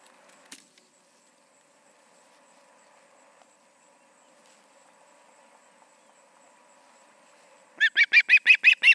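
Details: Charlo osprey nest on an August 2019 evening, two birds present; a long stretch of low steady hum and quiet, then a sudden burst of seven evenly spaced sharp chirps at the end.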